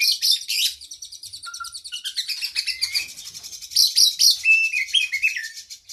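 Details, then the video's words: Caged-bird training song of the oriental magpie-robin: a busy stream of high buzzy trills, a few clear level whistles and rising slurred notes, loud bursts at the start and again near the end, otherwise steady chatter. "Masteran Burung kacer Gacor isian Panjang Paling Ampuh"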